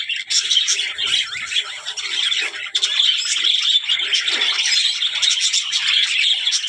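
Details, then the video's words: Talking budgerigars fill the air with steady high twittering and rasping chirps, short bursts rising and falling over a constant chattering bed. "budgies parrot talking | chidiya ki awaz"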